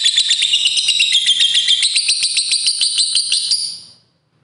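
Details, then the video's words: Long ngekek panjang trill of a fighter lovebird, meant to get other lovebirds singing: a fast chain of shrill, chattering notes about four per second, holding steady and then fading out after roughly four seconds. "BIKIN LOVEBIRD CEPAT BUNYI, LB Fighter Ngetik Ngekek Panjang"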